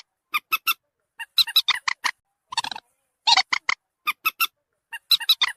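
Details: Common moorhen calls for luring birds near: bursts of harsh, squeaky notes in quick groups, some coarse and grating, separated by short pauses.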